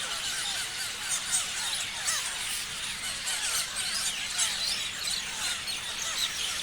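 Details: Parrots chirping together: a dense, continuous wash of overlapping high squeaky chirps and short twittering notes from many birds, with no pauses and a steady, even loudness.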